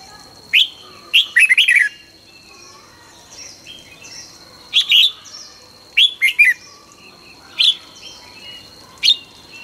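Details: Morning song of a red-whiskered bulbul from 2020 training, delivered fast and fired-up: loud slurred whistles in pairs and triplets, spaced irregularly, with softer twittering between phrases and a steady high tone in the background.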